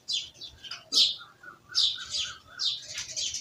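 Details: Chirping village birds: busy overlapping twitters and sharp high notes in quick bursts, with a softer repeated mid-pitched note underneath.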